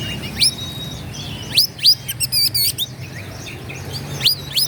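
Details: Oriental magpie-robin singing to provoke rivals, with loud rising whistled sweeps, a brief rapid rattling trill of short repeated notes in the middle, and more high upslurred whistles at the end.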